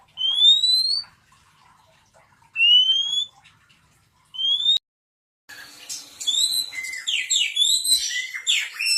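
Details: Oriental magpie-robin calling to prompt other magpie-robins to answer: three clear, rising whistled notes spaced about two seconds apart, then after a brief gap a busy, varied stretch of quick whistles and scratchy slurred phrases.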